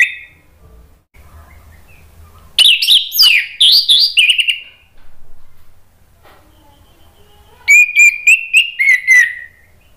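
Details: Varied whistled song of the orange-headed thrush (anis merah), meant to get reluctant birds singing back: a tumbling phrase of bright notes, a short silence, then a second flowing series that falls away.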